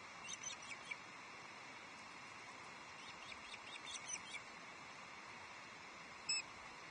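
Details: Osprey at Loch Arkaig Osprey Nest Two on 11 July 2023 as a second fish, a headless trout, is brought to the nest: faint, thin, high chirps in quick bursts early and midway, then one sharp note, over steady outdoor hiss.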